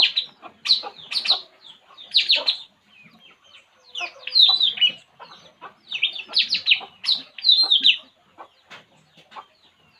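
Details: A relaxing puling bird calls in repeated scratchy, high chattering phrases, each a tight burst of rapid notes, with brief quieter gaps and faint clucking-like sounds between.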